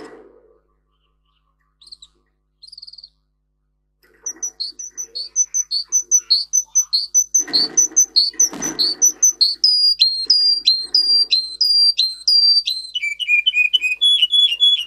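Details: Russian singer canary song for training young canaries: after a quiet start with faint low noises, rapid repeated high whistled notes build from about four seconds, shifting into clear tone variations, some dropping in pitch, each repeated in quick series.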